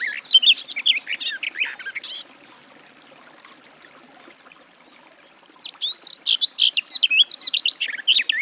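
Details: Garden warbler (Sylvia borin): a hurried, bubbling warble, a sharp click, a quiet gap of about three seconds, then the fast, varied warbling returns.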